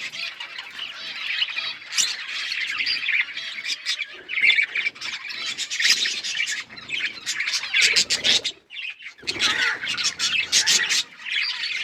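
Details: Budgie parrots chirping in a chorus of high warbles and harsh squawks, mostly continuous with a short lull near the middle and end.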